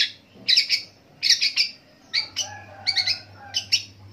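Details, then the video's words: A long-tailed shrike mimics other birds in a long rolling song. Short clusters of bright, scratchy chirps are repeated roughly every second, with a soft lower warble between them. A faint hum sits beneath. "PENTET NGEROL PANJANG ANEKA BURUNG DI TIRUKAN"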